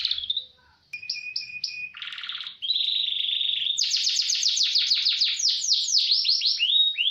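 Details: Canary tutor song with roll speed: a whistle, three repeated high notes over a steady tone, a harsh buzzy tour, a flat trill, then a long fast series of bright sweeping notes.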